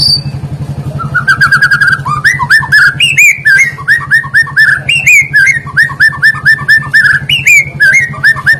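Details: White-rumped shama song played as a lure to prompt other shamas and birds to sing: rapid repeated upslurred whistled notes in a steady chattering series, with a constant low hum underneath throughout.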